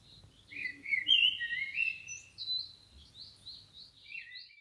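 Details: Blackbird in the wild delivering a run of high, warbled twittering notes that start slurred and rich, then break into short, sharp squeaks toward the end, over a quiet background.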